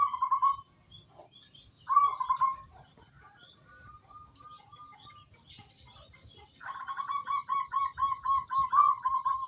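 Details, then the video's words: Local zebra dove, kept as a songbird and in full voice, giving soft cooing notes, then a long run of evenly repeated, pulsing coos near the end. "burung perkutut lokal gacor"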